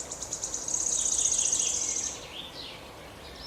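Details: A very high, fast, buzzy trill lasts about two seconds. It is followed by a few softer, lower chirps, and quiet background hiss fills the rest.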